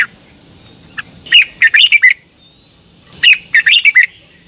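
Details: Caged red-whiskered bulbul in a morning singing contest session, two quick phrases of five or six warbled, slurred notes separated by a pause of about a second, a constant high hum in the background.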